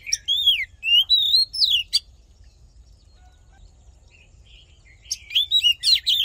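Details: Fighting song of an Oriental magpie-robin for voice training and stirring males: a few loud, rising and arched whistled phrases, a silent pause with faint notes, then a quick jumble of shrill whistles over a low hum.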